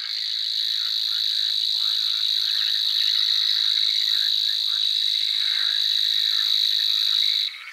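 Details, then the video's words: Grass warbler song: a continuous, even, high-pitched reeling buzz held steady for about seven seconds over faint scratchy chirps, then stopping abruptly. "Grass warblers. Birds singing. Unusual bird chirps"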